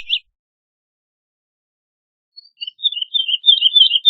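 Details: Woodlark, Lullula arborea: one brief whistled note, a long silence, then a soft, uneven series of gliding whistles rising in loudness.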